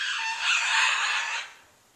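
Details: Large pet bird kept on a back porch, making persistent loud noises in January: one sustained harsh, rasping scream of about one and a half seconds that fades out abruptly.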